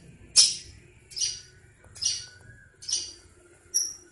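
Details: Long-tailed shrike singing in a village setting, said to want to mate: five loud, harsh high-pitched bursts spaced roughly every 0.8 seconds, each a buzzy scratchy note, the last ending in a thin whistled tone, over a quiet low background.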